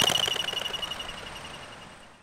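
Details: Crested pigeon's wings whistle on take-off as an alarm warning others of danger, made by a modified narrow eighth primary feather: a high, thin tone pulsing rapidly with each wingbeat, about fourteen beats a second, fading over two seconds.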